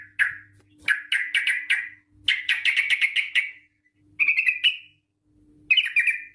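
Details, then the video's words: Lure recording of a lively yellow-vented bulbul, long rapid 'ropel' style: quick bubbly chirped runs in bursts with short gaps, a faint low hum underneath. "TRUCUK Gacor ROPEL PANJANG pancingan trucuk agar BUNYI, jadikan burung trucukan BUNYI ROPEL sketika"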